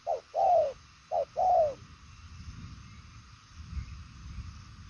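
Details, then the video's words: Two quick coo phrases from a đồng son chân tím spotted dove, each a short note then a longer, softly falling coo, followed by low background rumble. "Đồng son chân tím gù quá tốt, nước xa tốc độ bài lối"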